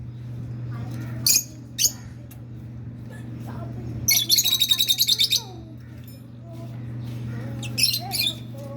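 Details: Hand-tamed rosy-faced lovebirds, a male and a female kept as pets, giving sharp high chirps in short bursts, one rapid rattling run of repeated notes, over a steady low indoor hum.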